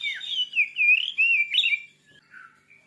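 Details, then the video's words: Oriental magpie-robin, a fierce-sounding songster, played to rouse a kept bird into singing: loud, clear whistled phrases that warble and slide up and down, a sharp rising note, then quieter, softer twitters trailing off. "Suara burung kacer terganas"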